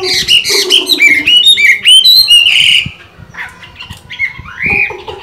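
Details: A Chinese hwamei, still singing well while moulting, gives loud, varied whistled phrases, rich and rolling, with quick trills and upward slurs in bursts, then a brief pause and more rising notes.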